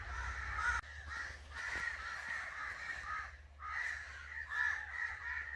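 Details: Crow giving angry, hoarse cawing in long rough stretches, broken by a brief gap near the start and a dip in the middle, with a low background hum throughout.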